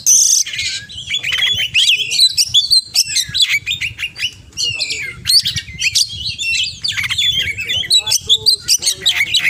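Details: Kacer, or oriental magpie-robin, in energetic mimicry song: fast sequences of clear whistles, harsh chips and buzzy trills, swooping up and down, delivered in dense bursts with low hum behind.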